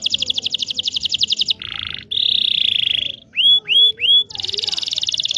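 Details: Canary song for teaching young canaries: fast trill, a low buzzy burst, a long sustained high trill, three looping whistles, then another rapid trill.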